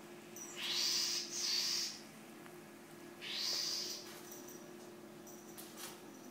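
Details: Male house wren scolding in fury at a dog's presence: two harsh, hissing rasps run almost together, then a pause and a third rasp, with a few faint clicks afterwards and a low steady hum.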